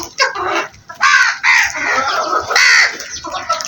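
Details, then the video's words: Flock of crows producing nearly continuous grating, drawn-out caws that overlap one another, with a short lull near the start. "Flock of crows sound Effect"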